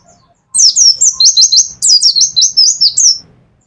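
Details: Kept mountain white-eye of the Pacitan type in full 'nembak' song: nearly three seconds of rapid, continuous high whistles, each note sliding downward, in two linked runs.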